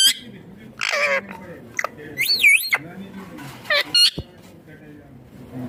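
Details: Green ringneck parrot at home producing talking sounds: shrill wavering syllables, one with a warbling up-and-down contour, interspersed with short squawky notes and quiet spells.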